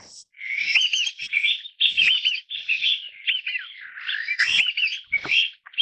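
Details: Taiwan bamboo partridge, endemic to Taiwan's forests: a near-continuous run of raucous, grating call phrases that overlap and jumble together, with the harsh notes recurring several times each second.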